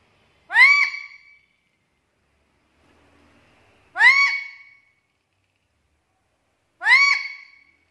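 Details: Black-capped lory used as a lure recording for other lories: three loud harmonic squawks rising then falling, each about half a second, spaced roughly three seconds apart, with faint background noise between.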